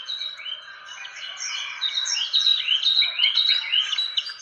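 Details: Fantail lure call used to attract birds, a dense run of sweeping and rising chirps with some hooked notes, high-pitched and continuous, several overlapping over four seconds.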